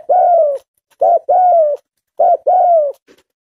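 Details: Tame spotted dove calling vigorously, with a short clipped coo followed by a longer smooth, slightly falling coo, repeated twice in a quiet room.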